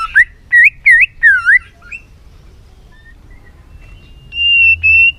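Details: White-rumped shama in full tail-flicking excitement, pouring out a varied song: four loud looping whistled notes in quick succession, soft scattered notes, then a long steady high whistle held near the end.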